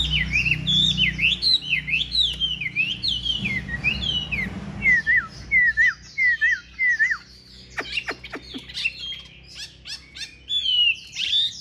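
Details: Caged Chinese hwamei singing in fighting display: fluid, repeated whistled phrases with sweeping up-and-down slurs, a few sharp clicking taps near the end, then more whistles.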